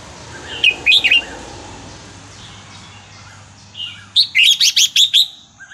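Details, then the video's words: Red-whiskered bulbul, Burmese song style (3-4-5-6), used to teach young birds. A short three-note bubbly phrase, a pause with faint chirping and hum, then a fast run of about six loud whistled notes. "นกกรงหัวจุกเพลงถิ่นพม่า 3-4-5-6 เปิดสอนลูกนก"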